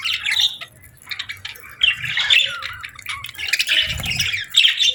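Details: Budgerigars chirping on a peaceful morning: a busy flock-like chatter of squawky, warbled chirps and scratchy notes, rising and falling in dense bursts with brief quieter gaps, plus faint low rumbling underneath.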